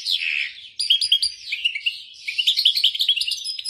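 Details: European goldfinch delivering tolaa notes, starting with a lower warbled phrase, then crisp repeated chirps and a rapid sequence of high twittering slurs.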